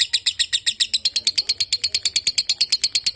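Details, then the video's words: Lovebird giving a long-duration song: a fast run of sharp, high chirps, about eight per second, each a bright buzzy note. It keeps a steady rhythm for the whole stretch, with no other clear sounds. "Lovebird durasi panjang"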